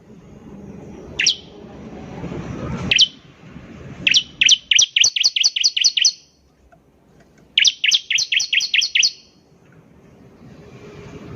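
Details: Energetic bar-winged prinia (ciblek) song: two single chirps, then two long runs of around eight rapid, piercing repeated notes, about four per second, separated by a short silence.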